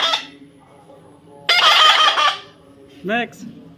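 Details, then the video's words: Baby parrot during taming, giving one loud, harsh, buzzy squawk lasting under a second, then a short rising whistled note; faint background hum. "natural funny parrot sound"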